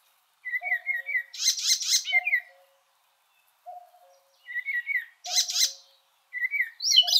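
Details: Icterine Warbler singing a varied, repeating phrase: clear whistled notes, a low fluting note, then a harsh, buzzy chattering burst. The phrase recurs about every four seconds, with higher squeaky notes at the end and no other sounds.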